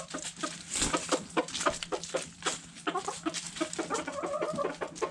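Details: Backyard chickens at food scraps, hens giving quick low clucks amid sharp pecking clicks, with a run of stacked harmonic calls in the second half.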